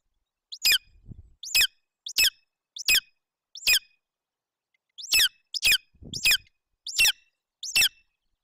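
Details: Golden eagle eaglet begging at a nest in Bucovina, Romania, on 8 June 2021, while its mother feeds it roe deer fawn. There are about ten sharp, high, thin squeals spaced irregularly, with faint rustles between them.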